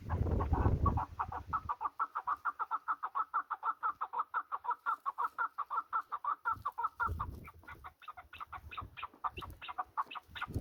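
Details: Partridge in the mountains gives a long, rapid series of clucking chuck notes, several per second, speeding up and growing harsher toward the end; low rumbling wind opens the recording.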